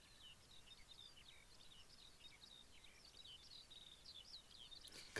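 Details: In Scotland, at a black grouse lek site before dawn, with skylarks all around, a Eurasian skylark sings a continuous stream of rapid, high warbled and trilled notes, faint against a low rumble of wind, with a sharp click near the end.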